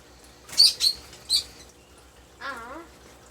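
Young lovebirds give three harsh, scratchy high chirps in quick succession, followed by a brief wavering, voice-like sound.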